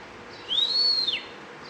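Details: Bimaculated lark giving one clear, pure whistled note that rises, arches over and falls away, against a steady hiss of background noise.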